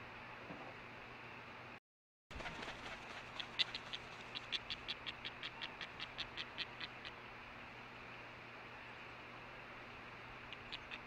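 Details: Osprey, adult female at a nest camera on August 10, 2013, near midday after the male's fish delivery; rapid train of short raspy pulses, about four a second, forming a buzzing call, over steady hum.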